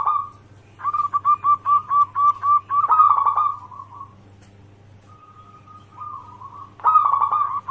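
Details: Zebra dove of a local type, used as a lure for other doves at home, in lively song: a rapid string of staccato coos swelling into a rough note, a quiet pause, a thin sustained coo, then a fresh loud burst; low hum throughout.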